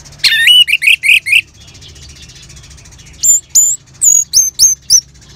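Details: Orange-headed thrush in ngeban style, used to start caged birds singing: a rapid burst of loud rising-falling notes, a pause, then very high sharp downslurred whistles in a quick series.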